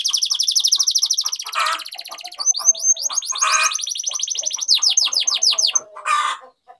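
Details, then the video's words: Canary song in the 'ngerol' rolling style, aimed at prompting other canaries to sing: rapid buzzy trill and falling whistled notes, interrupted by a few louder harsh, noisy bursts. "Pancingan Kenari Gacor Ngerol Ini Ampuh Bikin Kenari Malas Jadi Gacor"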